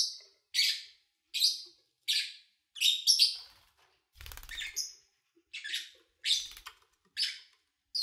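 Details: Lovebird chirps recorded in early August 2019: crisp, separate chirps repeated roughly every three quarters of a second, with one brief rattling, clattering noise midway.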